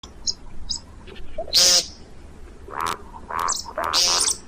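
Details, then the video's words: See-see partridge calls used for hunting: soft mellow notes alternating with loud harsh rasping bursts, spaced irregularly over a few seconds, with faint high chips between. "صوت طائر الشكب (دجاج الارض) للصيد"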